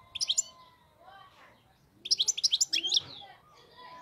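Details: Wild European goldfinch heard fairly softly in two short bursts of quick, jingling high twitters separated by a quiet gap with faint background sounds.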